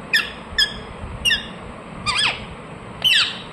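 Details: Pet ring-necked parakeet calling: three clipped, descending squawks spaced about half a second apart. Two longer, rougher, screechy notes follow, with faint hum underneath.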